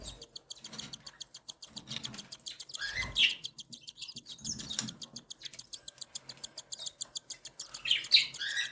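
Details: Cockatiel chicks, the youngest hatched a day earlier, beg while the mother feeds them. Very fast, regular high ticking pulses continue throughout, broken by two louder squeaky chirps.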